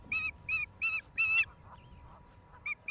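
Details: Osprey on a nest in Charlo, Montana, USA, April 26, 2022, recorded by a live nest camera: four strong, drawn-out high whistles, the last longest, a short pause, then two clipped chirps.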